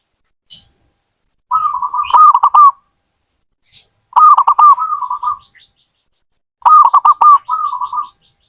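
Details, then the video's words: Zebra dove singing three long phrases, each a stuttering burst of mid-pitched coos with clicky attacks trailing into softer purring notes, repeated about every two and a half seconds; faint high ticks between. "Suara burung perkutut"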